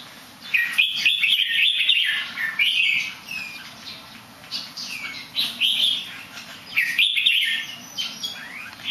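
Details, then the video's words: Songbird described as a good singer that tumbles in somersaults now and then. Bright whistled phrases come in separate bursts several seconds apart, with fluttering and softer notes between them, over a constant low hiss. "นกร้องดี แต่มี ตีลังกา นิดหน่อย"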